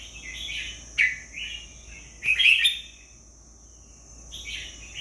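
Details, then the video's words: Red-whiskered bulbul giving quick, bubbly warbled phrases, one sharp louder burst in the middle, then a softer phrase after a pause, with a steady high-pitched whine running throughout. "นกใบลาน #เสียงนกกรงหัวจุก"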